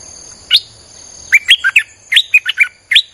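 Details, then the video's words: Streak-eared bulbul song for luring wild birds: an opening note, then three tight bursts of three to four bubbly chirps delivered almost without pause, over faint steady high whine. "เสียงนกดอกแตงEp.159จ้าวขุนศึก สับดอกแบบไม่พัก!!ใช้เปิดล่อนกป่า Suara pikat merbah lekir"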